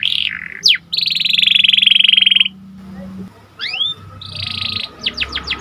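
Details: Canary with panda markings in lively song to excite other canaries: a buzzy phrase, one steep sweep, a long grating rattle, rising upslurs, another buzz and a final burst of quick sweeps.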